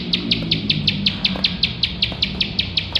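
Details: A bar-winged prinia in full 'gacor nembak' song, recorded to train competition birds, gives a quick, even series of sharp high chips, roughly five per second, over a low steady hum.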